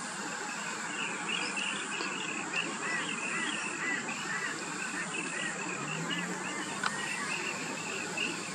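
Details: Rainbow bee-eater calling while feeding in the afternoon in Australia: a continuous series of short rolling, trilled chirps, repeated rapidly and fairly steadily, over a low background hum.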